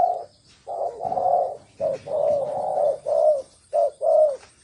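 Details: Close, loud spotted dove cooing in the thổ sấm style: a run of low throaty coos of uneven length, short and long notes alternating in quick succession.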